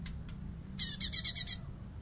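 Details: Light-vented bulbul used as master song for songbirds, bessetan style: two soft preliminary hisses, then a burst of six harsh, buzzy pulses in quick succession with faint falling whistles, over low hum.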